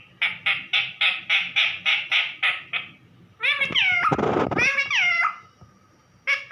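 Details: A pet parrot, said to be calling "mummy", gives a run of eight quick, rasping syllables, then longer harmonic, voice-like calls with a harsh burst between them, like mimicked words.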